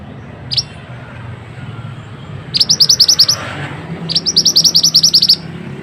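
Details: Mantenan song recorded as masteran training material: one lone high note, then two rattling bursts of fast, sharp chirps a second apart, with faint low background noise.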